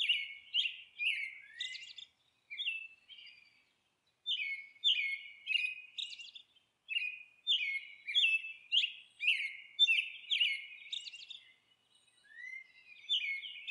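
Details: At the nest a monk parakeet chatters in long sequences of rough, squawking notes, grouped in bursts with brief silences between.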